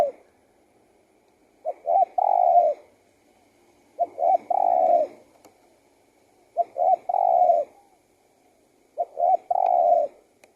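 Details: Spotted dove cooing: each phrase opens with two short soft notes and ends in a longer, throaty, slightly falling coo, repeated about every two and a half seconds in a quiet setting.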